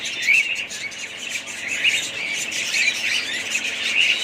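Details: Budgerigars twittering in a steady chorus of bright, quick chirps, with a few sharper whistled notes standing out above the continuous chatter.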